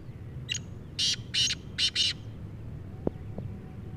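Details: Black francolin (kala teetar) giving a harsh, scratchy call: a brief lead note, then four loud grating bursts in two pairs, over steady low background rumble and a couple of sharp clicks afterwards.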